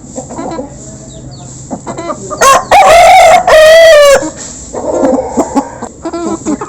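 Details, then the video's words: Local chickens feeding as a flock, recorded close by. Scattered soft clucks give way to a loud drawn-out rooster crow in two strong sections, then the clucking and pecking chatter resume. "Local Chicken Backsound While Eating"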